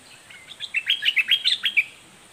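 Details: Southern 'dok taeng' style red-whiskered bulbul song with doubled notes, a fierce delivery: a quick, dense run of sharp chirping and warbled notes lasting about a second and a half, with no other sounds.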